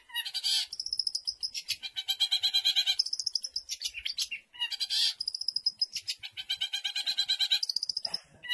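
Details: Kept Long-tailed shrike from a 2020 songbird contest compilation, singing mimicked phrases of other birds as training material: rapid runs of sharp, high chattering notes in two long bursts with a brief pause between.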